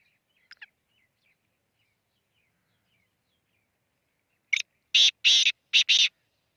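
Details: Black francolin at Khushab giving its harsh rhythmic call near the end: one short note, then paired long grating bursts, after faint high chirps from small birds in a quiet background.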